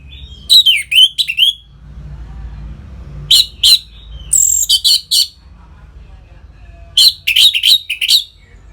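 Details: Orange-headed thrush, ngeplong style song intended to bring birds into breeding condition: varied phrases mixing sweeping falling whistles, sharp chips and quick rising notes, arriving in spaced bursts over a faint low background hum.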